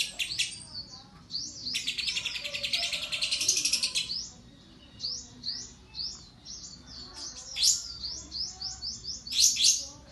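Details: Competition lovebird song with a fill said to draw the judges' attention: a dense, continuous high trill for about two seconds, followed by scattered rising, sweeping chirps in short clusters.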